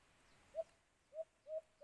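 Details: White-eared brown dove, or alimokun, near a cage trap: four short, soft, hollow coos with lengthening gaps at first, then closer together, against quiet background.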